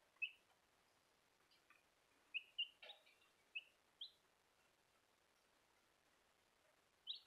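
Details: Young Bielefelder chicks giving thin, high peeps at irregular intervals, several clustered near the middle, with faint soft rustling and constant low hiss behind them.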